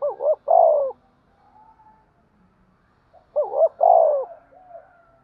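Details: Two spotted dove coo phrases for fighting and calling, about three seconds apart. Each has a rapid wavering double note leading into a long, strong, falling coo, with faint soft notes between.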